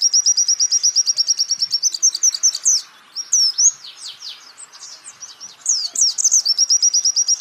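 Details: Champion white-eye (pleci) song used as a master training recording for songbirds: fast, high, evenly repeated chirps in long rattling trills, broken midway by a burst of varied squeaky slurred notes, then the rapid trill resumes.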